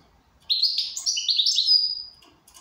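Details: ['Goldfinch in good condition singing a lively two-second run of tumbling, twittery notes that rise and fall and finish in a thin sustained high whistle.']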